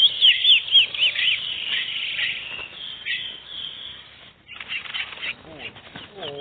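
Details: Wild chestnut-bellied seed finch in the bush giving preseiro-style song: a fast burst of bright, high whistled notes at first, then softer jumbled chirps and faint lower sliding notes.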